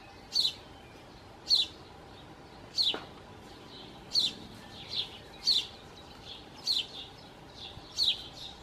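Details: At a song thrush nest holding four nestlings, fed by both parents in very hot, dry weather: a thin, high, falling note given eight times, roughly every 1.2 seconds, with one faint click in between.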